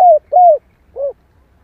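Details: Female spotted dove call used as a lure to stir males into calling: three short, soft coos, the first two sliding downward and the last one briefer and lower, with quiet gaps between them and no other sounds.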